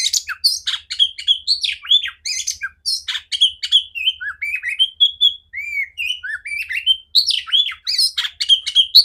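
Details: Loud, clear-voiced female oriental magpie-robin song, used as training for other magpie-robins. Dense, varied notes rush along: harsh chatter mixed with sweet slurred whistles, a brief slower passage of rising whistles, then more rapid chattering.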